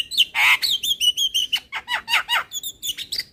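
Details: Javan myna lure call in 'super kenyih' style: a loud harsh screech opening into a fast string of nasal, whistled and squawking notes, around four per second.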